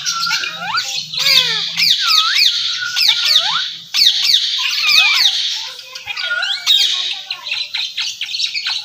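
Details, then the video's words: Pet Indian ringneck parakeet talking in Urdu/Hindi: rapid run of curving, swooping whistles and harsh speech-like syllables, closing with short clipped clicks repeated quickly. "Talking Ringneck Gorgeous style | Bolnay Wala tota Urdu/ Hindi"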